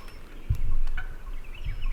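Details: Wild turkey gobbling before daylight on the opening day of turkey season in Tennessee, among henned-up gobblers; one short, rough, rattling gobble of about half a second, with faint high songbird chirps in the background.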